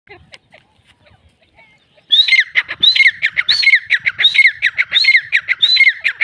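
A female grey francolin gives loud, harsh, high-pitched notes about every two-thirds of a second, following a quiet opening with faint background sounds.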